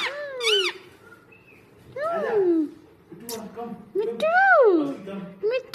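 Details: Pet talking parrot mimicking human speech, calling mummy: three loud, clear, voice-like phrases with smooth rising and falling pitch glides, separated by short pauses. Faint background chatter.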